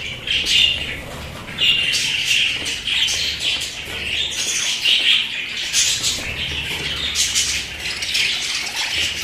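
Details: Kept budgerigars chattering continuously, a busy mix of high scratchy chirps and squawks with occasional sharper notes.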